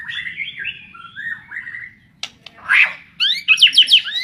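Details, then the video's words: Fighter-class white-rumped shama singing wavering whistled notes that slide up and down, then a sharp click, a harsh burst and a fast run of bright rising whistles. "BURUNG SULTAN FIGTER"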